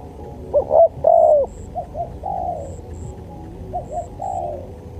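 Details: Spotted dove cooing for a training and luring track: a few sharp clipped notes and a loud arched coo open the passage, followed by softer repeated falling coos over a constant low hum.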